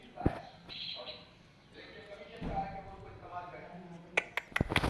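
A parrot chatters in speech-like phrases, copying human voices in short bursts, with a few sharp knocks and clicks near the end.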